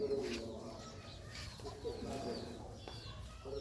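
Pigeons give soft, low, throaty coos in a busy loft, with faint chirps behind.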